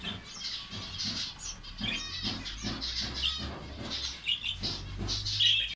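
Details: Finches in a colony in Saudi Arabia twitter in short, high chirps and buzzy notes, several birds overlapping, with soft low thuds and fluttering beneath and a sharper burst of calls near the end.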